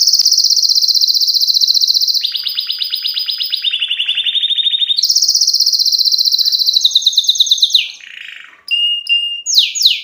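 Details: Excited canary chicks singing a loud, high continuous song: long rapid trills held at one pitch, dropping to a lower buzzy trill, then rising again, ending in quick upward-sweeping whistles.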